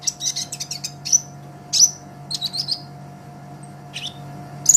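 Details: Sunbird recorded as a master for training songbirds: a fast burst of high twittering, then spaced piercing chips and short stuttered phrases, with a faint low hum.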